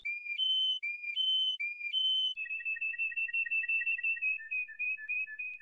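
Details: Canary singing pure whistled notes that alternate between a low and a higher pitch, then break into a quick, even trill of short repeated notes that softens toward the end.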